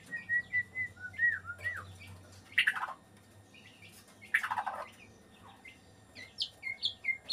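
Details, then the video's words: White-rumped shama in breeding condition singing clear whistled notes mixed with harsh, raspy bursts, then a quick string of high chipping notes near the end. "Ini tanda burung murai batu lagi birahi"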